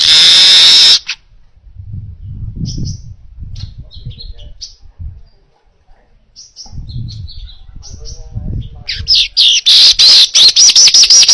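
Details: Clear weaver song for training other birds: a buzzy wheeze at the start, quiet thin chips and low background rumble in the middle, then a fast series of rasping, stuttering buzzes.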